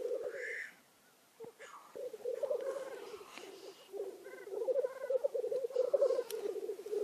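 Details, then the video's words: Black grouse disputing territory in search of mating: a low, bubbling, rolling coo that pulses rapidly and runs almost continuously after a short pause, with a few fainter higher notes over it. "GALO-LIRA Disputa território em busca de acasalamento"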